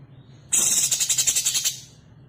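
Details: Female Sooty-headed bulbul calling to the male: one harsh, dry rattling chatter of about a second, rapid pulses fading toward the end, over a low steady hum.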